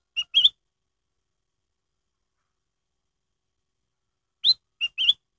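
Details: Black-headed bulbul lure song, played to get other black-headed bulbuls singing: two short bursts of clear, whistled notes separated by about four seconds of silence, the second burst a quick three-note phrase.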